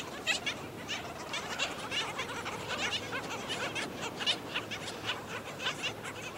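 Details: Rapid barking, raspy notes from black skimmers as an adult feeds a chick on St. Pete Beach, Florida, uneven bursts throughout over a hiss of wind and surf.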